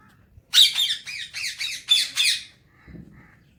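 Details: Pet talking Alexandrine parakeet enjoying morning time: a fast run of about eight harsh, ringing squawks packed into two seconds, then a brief low rustle.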